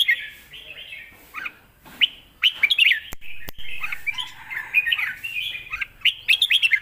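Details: Red-whiskered bulbul kept as a cage bird, delivering a fierce 'lak wai' master song meant for tutoring young birds. Rapid liquid whistled notes are strung into a continuous, tumbling phrase with faint knocks between.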